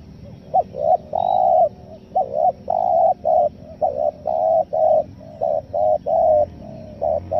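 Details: Spotted dove calling in the 'nekan nguku selang gagap' style, used as a lure for wild forest doves; low, hollow coos in quick bursts, each phrase two short clipped notes and a longer held coo, repeating steadily.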